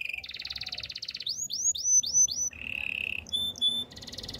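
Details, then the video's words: Domestic canary singing a training song: buzzy trill, a series of four sharp rising-falling whistles, a steady mid-pitched roll, then clear high whistled notes and another trill. "Bird sounds canary chirping! Canary training song"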